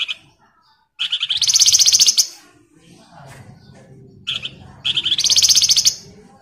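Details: Flamboyan in full song, used as a prompt to get other birds singing: two bursts of fast, buzzy, rattling trills, each lasting about a second and separated by a quiet pause with faint background murmur.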